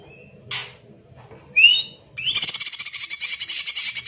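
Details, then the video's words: Greater green leafbird in full, steady song, said to sound like a magpie-robin: a short whistle, a harsh burst, a rising whistled slur, then a fast, even, buzzy trill of rapidly repeated notes that runs on to the end. "Burung Cucak Ijo Gacor Suara rapet - cucak hijau Gacor rasa kacer"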